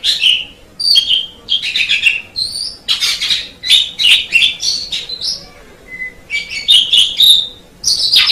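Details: Asian pied starling, a jalak suren used as a master tutor bird, singing a varied, scratchy chatter of harsh notes and short whistles in bursts, with brief pauses and one clear low whistle midway.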